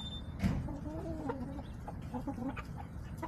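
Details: Backyard hens filmed on October 5, 2024, by a backyard chicken camera. Soft, low clucks rise and fall in short harmonic phrases over steady low background rumble, with an earlier thud and scattered faint ticks.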